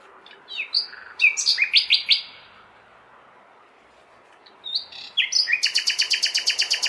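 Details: Common nightingale singing on a May night in a big city: bright whistled notes and sharp slurred phrases, then a fast run of rapid, evenly repeated clicking notes, with a steady low hum of city noise behind.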